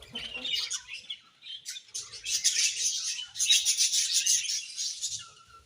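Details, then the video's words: Budgerigar colony chattering happily, starting softer with scattered squeaky notes, building into a loud dense run of fast high chirps in the middle before easing off. "Budgies Happy Colony Chirping Sounds"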